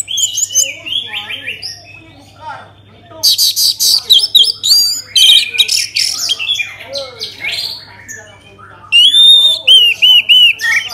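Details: Orange-headed thrush lure song to prompt other birds to sing: a long, varied run of loud, rich whistles, rapid chirps and buzzy high notes, ending with repeated looping whistled phrases, low hum underneath.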